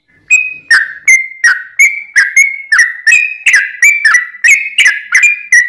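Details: A yellow-vented bulbul in full song, used as a lure to prompt other bulbuls to answer, gives a long, fast, unbroken run of bubbly, liquid notes, about three per second, with nothing else heard.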